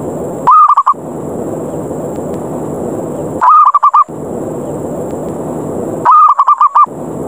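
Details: Repeated lure call of a zebra dove, meant to provoke rivals into fighting and descending: three stuttering phrases of low, even coos, each under a second, recurring about every three seconds against continuous hiss.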